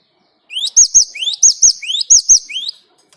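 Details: Lure recording of a Great tit singing hard: one burst of three or four paired notes, a quick upward slide followed by a sharp high whistle, repeated briskly for about two seconds in otherwise clean silence.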